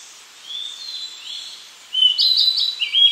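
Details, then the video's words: Blue-and-white flycatcher singing clear, high whistled phrases, soft at first, then a louder burst of slurred notes near the end, over faint background hiss. "オオルリ / Blue-and-White Flycatcher"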